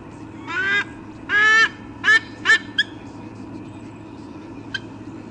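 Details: Nesting eagle pair at Sydney Olympic Park, Australia, calling on 3 August 2014 before a nest changeover: two drawn-out harsh honks, then shorter, quicker squawks fading to a single faint note, with quiet background hum.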